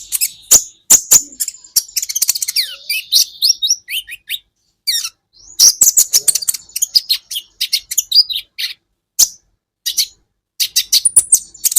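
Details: Olive-backed sunbird (kolibri ninja) song used as Indonesian bird-training material: long stretches of fast, scratchy high twittering with short sliding whistles and sharp clicks, broken by a few brief silences.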